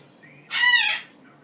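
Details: Single loud, honking squawk from an excited male Goffin's cockatoo kept as a pet, hopping around atop its cage at night; the harsh call sounds like a goose and lasts about half a second.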